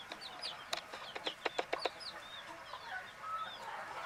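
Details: Baby chicks sleeping, giving soft high chirps with a cluster of sharp clicks and peeps in the first two seconds, then quieter scattered peeping over a hushed background.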